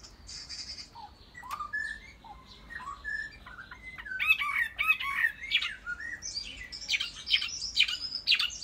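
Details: Chinese hwamei kept as a cage bird, beginning with scattered whistles and slurred notes, building into loud, rapid, complex warbling phrases with sharp high notes in the second half.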